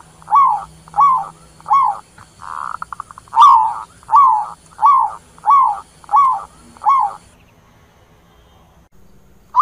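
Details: Zebra dove calling its flock with a steady series of mellow, downslurred coos, about one every 0.6 seconds. A brief buzzy rattling run breaks in partway through. The calling then stops into near silence.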